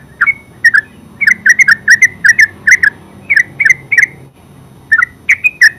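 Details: Terucuk or yellow-vented bulbul giving ngeropel-style song: quick runs of loud, gurgling chirps in clusters, a brief pause near four seconds, then a final burst of sharp liquid notes, faint hum beneath.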